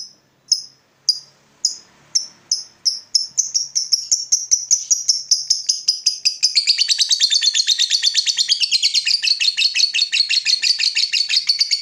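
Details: Lovebird ngekek call, used to lure and train other lovebirds: spaced high chirps that quicken steadily until they run together into a fast, continuous, buzzy chattering trill lasting several seconds.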